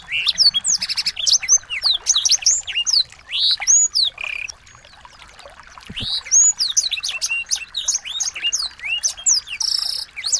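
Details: Small birds singing as practice material for a white-rumped shama: busy high chirps, whistled sweeps and buzzy trills in crowded phrases, a brief lull around the middle, then lively chattering again.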